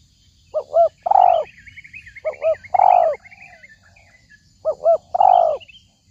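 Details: Spotted dove cooing, used to lure doves into a trap: three phrases, each a quick double hoot then a longer falling coo, about two seconds apart. A busy twittering of small birds sounds behind.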